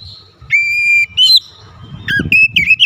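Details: Oriental magpie-robin singing actively through a varied repertoire. A long, steady, level whistle is followed by a short bright note, a pause, then a quick cluster of twisting whistled notes over a low rumble.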